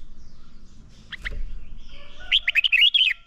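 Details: Red-whiskered bulbul singing during song training: a brief double chirp, then a fast, bright burst of looping whistled notes near the end, over faint low background noise.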